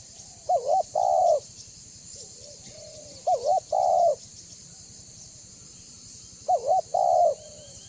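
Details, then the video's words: Lure recording of a banggo spotted dove: three clear coo phrases about three seconds apart, each a quick wavering double note and a longer mellow held note, with a faint soft coo between and constant high hiss behind. "Suara Burung Tekukur BANGGO Gacor Membuat Terkukur Lain Auto BUNYI Dan MENDEKAT !!!"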